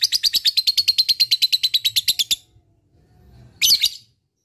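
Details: Lovebird giving a long ngekek chattering call, used to stimulate quiet lovebirds into calling: a fast, even string of about twenty high chirps over two seconds, a pause, then one short harsh burst.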